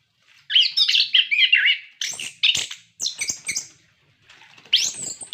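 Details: An orange-headed thrush sings energetically, song meant to prompt captive birds: dense run of scratchy, buzzy notes, then clipped whistled phrases and sharp chirps with short gaps.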